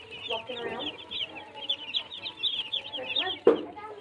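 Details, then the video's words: Baby chicks keep up a dense, overlapping stream of high thin peeps, with lower clucks and a sharp knock partway through. "Baby chicks"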